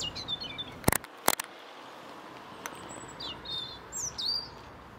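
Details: European robin in Ljubljana Botanical Garden, Slovenia, 30 January 2023: two sharp clicking ticks, then thin, high, wavering whistled notes and short warbled phrases, faint over a steady outdoor hiss.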